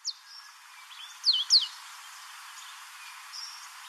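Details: In Port Alfred, Eastern Cape, South Africa, an African pied wagtail gives two loud, high, downslurred whistles in quick succession. A brief note comes before them and faint scattered chirps follow.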